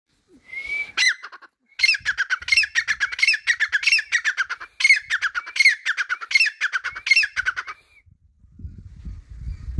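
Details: Partridge (teetar) calling in a loud repeated series of harsh, squawking notes, several per second, with brief upslurred whistles between phrases; calling stops near the end, leaving faint low rumbling.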